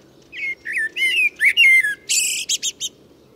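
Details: Full song of a common blackbird, recorded earlier in a Moscow park: a rich, fluting whistled phrase of gliding notes that ends in a burst of high, scratchy twittering notes.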